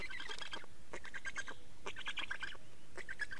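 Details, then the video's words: Estonian black storks during a nest change and feeding on 24 May 2019 at 15:15. Rapid grating, chattering pulses come in three quick bursts, scratchy and squeaky throughout. "Estonian Black Storks - Change and feeding"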